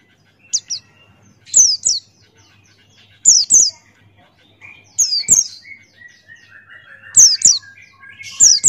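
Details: Buxtoni white-eye singing ngalas style: paired, high, sharply falling whistles repeat every second or two over softer, lower twittering from other birds in the background.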